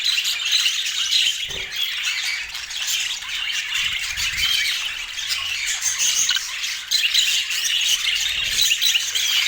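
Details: Pet budgerigars eating sweet apple fill the air with bright overlapping squawks and chirps, the chatter steady throughout and broken by a few low knocks.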